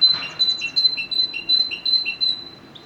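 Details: A great tit (Parus major) sings a bright two-note "ti-ta" phrase, a high note then a lower one, repeated about six times in a quick, even rhythm.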